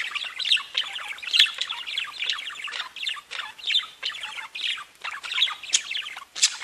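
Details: Singing budgerigars: dense nonstop chattering warble of rapid scratchy and whistled notes, pulsing in short phrases with occasional sharper squeaks.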